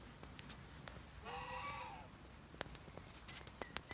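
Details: Australorp chicken calling: a single drawn-out, arching, harmonic cry lasting under a second, rising then falling at the end, over steady background hiss with scattered clicks and knocks.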